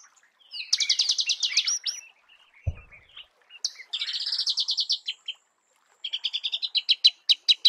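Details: A Marico sunbird sings in natural habitat: fast, high-pitched chattering runs of evenly spaced notes, a short pause, then a sharper series of clipped, descending chips toward the end.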